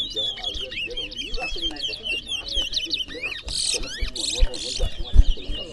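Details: Caged towa towa (chestnut-bellied seed finch) singing in a bird singing competition in Berbice, Guyana: fast, rambling warbled phrases of high whistled notes and quick rising and falling sweeps, with people talking, counting aloud, and knocking sounds.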